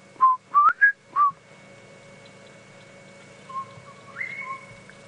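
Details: Southern Boubou calling from thick bush in a drainage line on an evening safari drive, April 30, 2017: four loud clear whistled notes, some sliding upward, then fainter whistles rising to a held higher tone, with low vehicle engine hum beneath.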